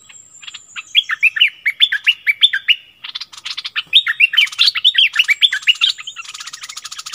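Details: Caged Streak-eared bulbul decoy singing on 16 February 2021: energetic chattering strings of looping, slurred whistles, two rapid phrases broken by a brief pause, with a buzzy rattle at the end.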